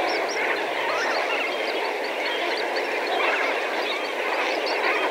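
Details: Several thousand Lesser Flamingos calling together from medium distance, a dense continuous babble of overlapping honking, goose-like calls with no pause throughout.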